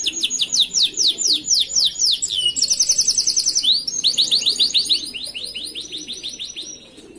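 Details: Canary singing master song used to train other canaries, a run of loud, high, downward-sweeping whistled notes followed by rapid rolling trills, fading toward the end.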